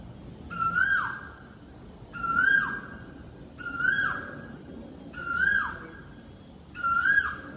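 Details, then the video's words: Repeated calls of an Asian koel, five clear ringing notes spaced about one and a half seconds apart, each level then briefly rising before dipping down, in a fairly quiet setting. "Kya kabhi suni hai Koyal ki esi awaz?"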